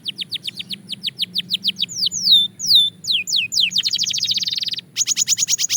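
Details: Belgian canary singing quickly: evenly spaced short descending notes, then three slow drawn-out sweeps, a rapid accelerating trill and a final bright high rattle.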